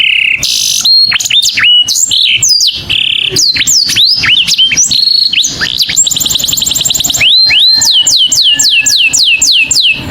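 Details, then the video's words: Saffron finch calling to a companion in a varied stream of held tones, sharp chips, buzzy high trills and a closing sequence of regular hooked whistles. "O SOM DE UM CANÁRIO CHAMANDO SEU AMIGO"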